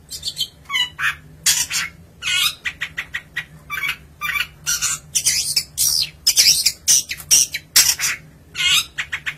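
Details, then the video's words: Long-tailed shrike, an Indonesian cage bird, singing a fast, energetic run of harsh chattering and scratchy notes in rapid bursts, with a few thin high whistles toward the end. "cendet gacor manteb banget"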